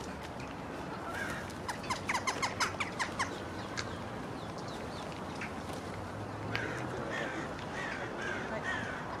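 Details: Western jackdaws of a growing colony around the Henry Moore sculpture in Kensington Gardens, London, give quick runs of short, sharp 'chack' calls, bunched in the first few seconds then scattered, over a low outdoor rumble.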